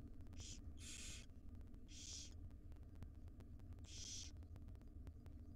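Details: Wild barn owl chicks, five in a nest box, beg while their mother brings breakfast, giving four rasping hissed shrieks in quick succession, one long and loud, against a constant low droning hum.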